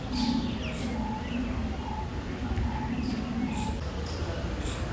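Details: Barbets in a Delhi garden with Californian poppies, calling repeatedly: short hollow mid-pitched notes about every half second over a low rolling, throaty call, while other birds give high thin chirps and a low hum runs beneath.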